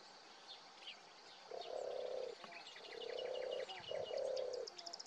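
European turtle dove giving its low, soft purring 'turrr-turrr' in three drawn-out phrases, with small birds chirping and twittering high in the background.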